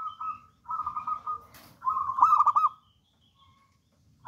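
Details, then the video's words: Local wild-type zebra dove, said to sing boldly, gives drawn-out purring coos on a level pitch, then a louder phrase of quick stuttering notes, followed by near silence. "PERKUTUT LOKAL ALAM GACOR"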